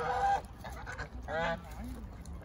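A domestic goose gives two loud, nasal, brassy honks about a second apart, with softer low grunting calls and farmyard background noise between them.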